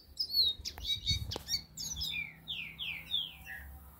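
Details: Green-winged saltators in song: sharp, high chirps and clicks at first, then a run of clear, down-slurred whistled notes repeated about once a second, over faint low background rumble.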